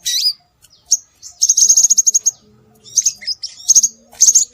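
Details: Scarlet minivet (sepah raja) calls played as a lure to attract birds: high thin whistled notes, a rapid even trill of about a dozen pips in the middle, then scattered sharp chips and clipped repeated notes.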